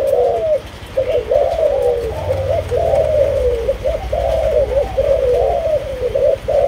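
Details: Spotted dove of the Malaysian strain, kept bird, gives rhythmic bubbling coos. Each phrase climbs briefly and then slides down, repeated over and over, over a low rumbling background.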